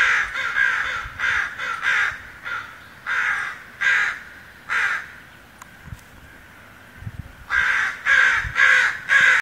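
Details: Loud, harsh, repeated "koww" caws from a crow along the Wildwood Trail, Portland, Oregon, June 26, 2011, in uneven bursts with short gaps, before it flies away; a faint rustle in the quiet stretch.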